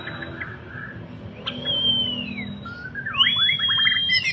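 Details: Borneo white-rumped shama, a captive bird in an active display, giving a long clear descending whistle followed by a rising whistle and a quick series of sliding, chattering notes.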